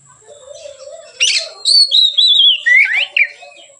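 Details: Oriental magpie-robin, called kacer, giving relaxed ngeplong song as a lure for training birds; a harsh burst followed by long drawn whistles gliding downward and a quick rising flourish, low murmur and high hum in background.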